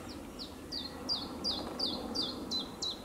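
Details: Iberian chiffchaff from Zuid-Holland, Netherlands, recorded 4 May 2022, giving a steady series of nine sharp, descending whistled notes, about three each second, over low background hiss.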